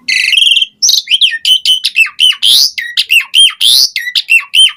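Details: Asian pied starling singing in full, varied form as a lure recording to get other starlings singing, rich with filler phrases: a buzzy harmonic opening note, then a quick run of short, high whistles that drop sharply, some with harsh rasping edges.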